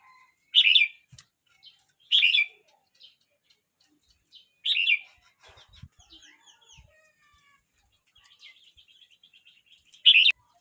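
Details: Red-whiskered bulbul, a youngster of 12 months 29 days, delivers four loud, slurred whistled bursts spaced irregularly over ten seconds, with faint twittering and soft clicks between them.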